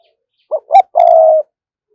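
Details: A single 'thúc gù' phrase from a decoy spotted dove calling to wild doves: two quick rising pickup notes, the second with a bright overtone, then one long, steady coo lasting about half a second.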